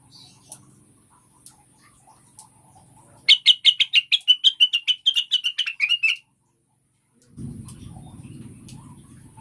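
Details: Lure song of cucak wilis or rengganis meant to get caged birds singing fast: after faint background hum, a three-second string of quick, piercing chirps with a wobbling pitch ends in a short upward flourish, then low rumble returns.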